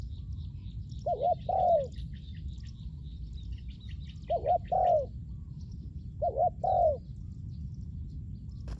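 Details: Spotted dove calling, used for luring wild doves: three low, mellow cooing phrases, each a short double coo followed by a longer rolling coo, spaced about two and a half seconds apart, with faint high chirps and low background rumble.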